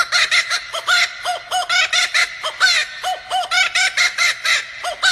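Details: Male laughing kookaburra (blue marks him male) from Australia in full cackle: rapid, loud, rollicking hoots and chuckles tumbling over each other, several notes a second, rising into a raucous laugh.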